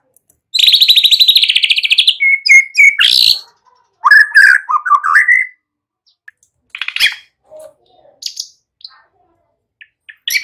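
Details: White-rumped shama song played to coax young birds into full, lively singing: a long high buzzy trill, sharp whistled notes, a rolling warbled phrase, then scattered short chips and whistles.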